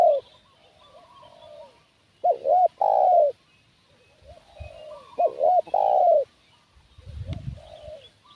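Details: Decoy spotted dove luring wild doves coos twice, each phrase a couple of short looping notes then a drawn descending coo; softer coos linger between, and a low thump sounds near the end.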